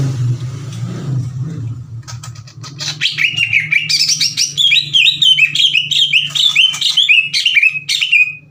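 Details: Greater green leafbird singing aggressively, challenging other leafbirds to fight. After two seconds of low hum, a loud, fast run of varied whistled and chattering phrases leaps up and down in quick succession.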